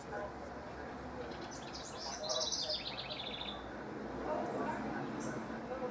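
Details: House wren rivals recorded in mid-June 2015: a short bubbling song of rapid high notes slurring downward, with low rumbling noise throughout.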